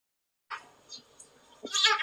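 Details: Pet red-breasted parakeet imitating the household dog's barking, as if chasing the dog into its cage, gives a harsh, raspy bark: a short rough burst, a pause, then a louder grating bark.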